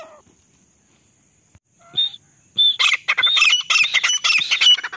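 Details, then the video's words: A female grey francolin calls non-stop in the jungle, a recording used as a lure for hunting. After near silence come two short clear notes, then a loud burst of harsh, screechy, rapidly repeated high notes. "Desi teetar madi ki awaz || desi female ki awaz"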